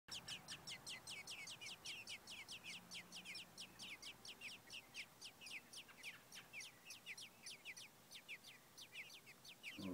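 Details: Baby American robins begging for food in their nest in late June 2012, growing big with eyes starting to open; rapid high, thin chirps repeated several times per second in an insistent, overlapping chorus.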